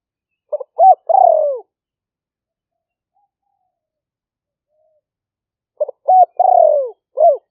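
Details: Spotted dove lure recording from rainy-season rice fields near Roi Et, Thailand, taken on a smartphone. Two three-part coo phrases come about five seconds apart, each ending in a long falling purr, and an extra arched note follows.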